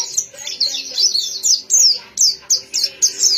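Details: Series of crisp, high downslurred whistles from a white-eye, spaced into distinct sharp notes that grow louder and more separated toward the end.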